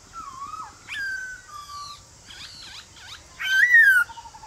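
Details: Male white-cheeked laughingthrush singing in a forest-style voice in the morning to provoke wild birds into answering; scattered whistled notes, a wavering low whistle, a short buzzy burst, then one louder rising-falling whistle.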